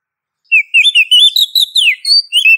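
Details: Female Oriental magpie-robin calling a male, played as a lure to make males answer: a quick run of bright, varied whistled notes, some rising and some sliding down, packed into about two seconds after a short silence, with no other sounds.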